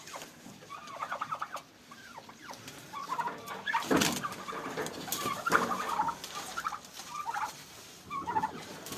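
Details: Domestic turkeys fighting on a farm in Pakistan, giving short rippling gobble-like bursts and yelping notes in irregular clusters, with scuffling and broadband knocks in between.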